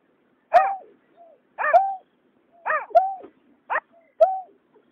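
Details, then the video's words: Paired water rails, male and female, recorded 2021, give a run of harsh, nasal calls: bright downslurred notes mixed with level sliding ones, five or six in five seconds, with a few faint softer notes between. "Tiếng nhát hoa, cà cuốc trống mái"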